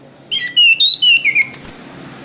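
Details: Orange-headed thrush song for training caged birds: loud, clear whistled phrases, a sliding note falling then held steady, followed by several short bright bursts and a high squeaky ending.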